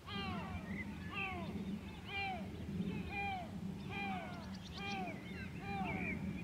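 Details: Yelping calls of a white-tailed eagle at Grönvik, Ornö, 16 July 2024: a rhythmic chain of clear, downward-slurred barking notes, roughly two per second, above a constant low drone.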